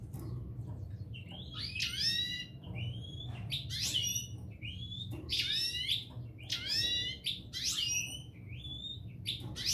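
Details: European goldfinch couple of the parva race: a steady run of liquid twittering bursts roughly every second, each with a rising lead-in note and then falling chattering notes, over a quiet low hum.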